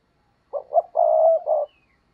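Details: Decoy spotted dove cooing to call in wild doves, one clean phrase: two short throaty hoots, a long even coo, and a final clipped note, in a quiet setting.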